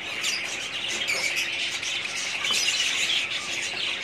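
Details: Many budgerigars in a breeding colony chattering together, a steady wash of high, overlapping chirps and scratchy warbling with no pauses.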